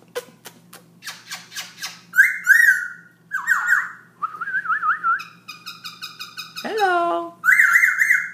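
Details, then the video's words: Black-throated laughingthrush singing non-stop at 11pm at night: varied phrases of rich, harmonic whistles, warbling trills around a steady pitch, quick repeated notes and a sharp downward-sliding call, with a faint low hum underneath. "Black throat laughing thrush night song almost 10 min strai"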